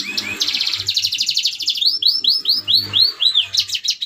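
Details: Red siskin song meant for training other birds: a dense high buzzy trill followed by a run of six looping, upslurred whistled notes, then more chattering twitters.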